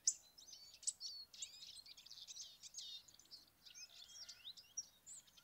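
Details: Hawfinch (Coccothraustes coccothraustes), recorded in 2024, calls with sharp, high ticking notes mixed with a dense run of thin, twittering chirps over faint background noise.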